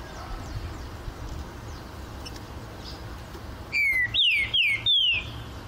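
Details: Caged green-winged saltator in an aviary, singing: after a quiet stretch with faint distant whistles, a loud burst of four clear, slurred whistled notes, each sliding downward, given in quick succession near the end.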